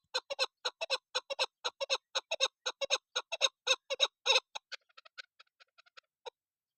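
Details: Female desi chakor (chukar partridge) call used to lure birds for hunting: a rapid series of coarse, clucking notes, about four per second, that breaks off into softer, scattered clucks and one final louder note.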